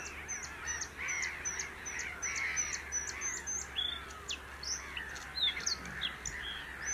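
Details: A Bluethroat sings a fast, varied run of sharp ticking notes, high metallic whistles and buzzy phrases over softer background chatter, recorded at the Grand Voyeux nature reserve (Seine-et-Marne, France) in 2021.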